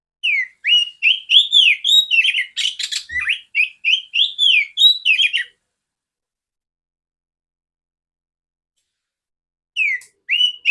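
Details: Female oriental magpie-robin used to train other magpie-robins, singing a fast string of looping whistled notes with a harsh rasping burst near the middle, then a long silence before the phrase restarts.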